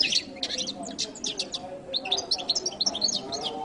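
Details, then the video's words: Goldfinch song of scattered bright chirps and short twittering notes, a little looser and more spaced than a steady run, with soft background murmur. "canto de jilguero latino"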